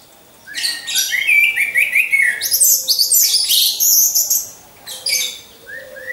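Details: Caged orange-headed thrush used as a training lure: a long continuous run of rapid, varied high notes with repeated short rising whistles and harsh bursts, then a brief quieter gap and more notes.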